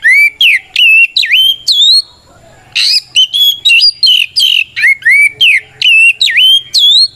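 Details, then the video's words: White-rumped shama singing a fighting song to provoke other birds; a steady string of loud, rising whistled notes repeated about twice per second, broken by one harsh burst. "Suara Burung kacer gacor NGEPLONG tarung ini paling ampuh buat PANCINGAN KACER agar EMOSI Nyaut"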